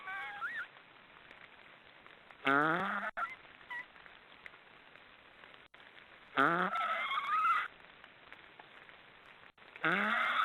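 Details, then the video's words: Black storks snoring loudly in three rasping bursts of roughly a second each, rising harmonic squeals over a low groan, separated by quiet gaps. "Black storks are snoring"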